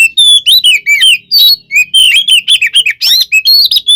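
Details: Oriental magpie-robin delivering its fighting song to provoke rivals; clear high whistles rising and falling, mixed with quick chips, uttered in a lively, almost unbroken sequence.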